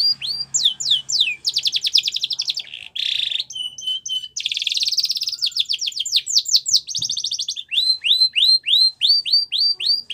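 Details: Spanish Timbrado canary performing a training song for young canaries: varied tours of falling sweeps, dense buzzy rolls and short flat whistles, closing with a run of ringing curved notes.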